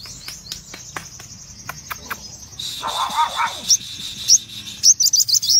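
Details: Crimson sunbird, a red-eyed cremino colour form, singing vigorously: thin, very high sustained notes, then a noisier patch with sharp bright chips toward the end, over faint ticking sounds.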